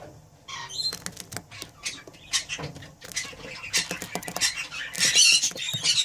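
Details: Budgerigar breeding pair calling: scratchy, high warbling chatter broken by sharp clicks and taps, building to a louder, busier burst of twittering near the end.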